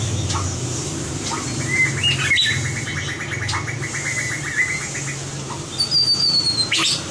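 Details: A white-rumped shama being trained for competition singing: a fast, even trill of mid-pitched notes, then a sharp high whistle sliding downward, over a steady, loud background hiss.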